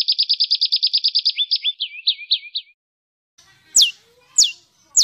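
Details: Songbird in 'besetan kasar' training material for caged and contest birds: a quick, even series of clear chipping notes shifting into lower, rolling warbled notes, a pause, then three sharp downward-sweeping whistles.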